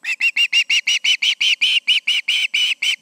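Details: On an August evening at an osprey nest with two birds present, loud high-pitched whistled chirps repeat rapidly and evenly, roughly five per second, piercing and insistent.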